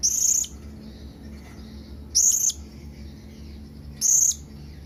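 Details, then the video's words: Blue-crowned hanging parrot calling out to companions with three evenly spaced shrill, very high squeaks about two seconds apart, with low background noise. "Suara SERINDIT MEMANGGIL KAWAN"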